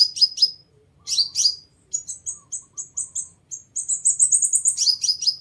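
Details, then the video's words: Seven-coloured sunbird call for luring birds: clusters of high slurred chirps, then a steady string of thin high piping notes that speeds into a fast trill before more chirps. "Tiếng Chim Hút Mật 7 Màu || Hút Mật Xác Pháo || Bản Chuẩn kích Mồi Cực Nhạy Không Tạp Âm"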